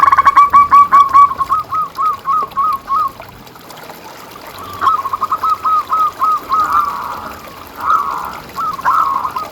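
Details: ['Lively local zebra dove singing as a training master for caged birds. A loud rapid burst of purring coos opens, then softer trains of short clipped notes follow from several overlapping doves.']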